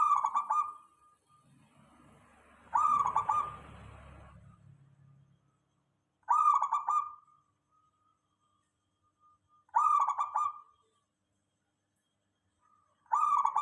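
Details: Local zebra dove song used as a lure so other doves respond: rolling, stuttering coo phrases repeat about every three and a half seconds, with faint soft notes between them and a brief rustling noise after the second phrase.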